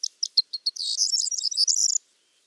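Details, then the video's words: Corn bunting singing a short phrase: five quick, high, clicking notes lead straight into a bright, tumbling, jingling rattle like shaken keys, ending cleanly after about two seconds with nothing else audible. "Vogelstimmen: Die Grauammer - Corn bunting - Emberiza calandra"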